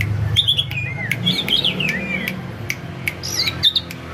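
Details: Male white-rumped shama kept at home, singing short whistled phrases that slide and warble between high notes, with sharp clicks scattered through and a low indoor hum underneath.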